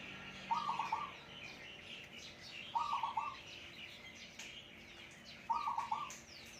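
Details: Captive Zebra dove, wild-caught by decoy and hand-raised, in lively form, repeating a loud, deep, rapidly trilled cooing phrase three times, about every two and a half seconds. Faint high twittering from other birds fills the background.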